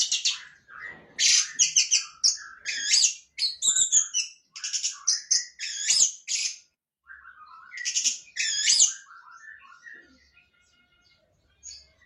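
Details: Orange-headed thrush delivering a long varied song of fast scratchy high notes mixed with lower whistled phrases, continuous for about ten seconds before fading.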